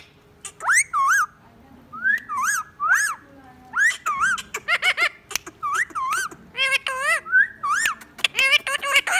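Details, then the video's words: Pet Indian ringneck parakeet that can whistle and laugh: arched, bouncing harmonic notes in irregular groups, rising and dipping like mimicked laughter and speech, in a small room. "Talking parrot saying mian mithu | parrot talking and laughing"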